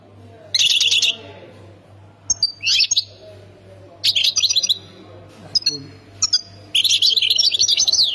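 European goldfinch singing in quick bursts of bright, tinkling, twittering notes with buzzy trills, phrases separated by short pauses; a low steady hum underneath.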